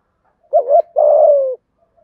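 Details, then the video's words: A single thúc gù phrase from a spotted dove with giọng thổ voice: brief wavering coo, a short gap, then a sustained mellow coo sliding slightly downward; otherwise quiet. "cu gáy thúc gù giọng thổ cực đỉnh giọng hạp bổi và nhanh về cội"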